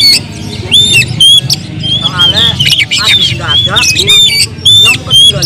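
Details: Oriental magpie-robin lure song, full of agitation: repeated bright whistled notes mixed with rasping buzzy trills, loud and continuous, with low background rumble.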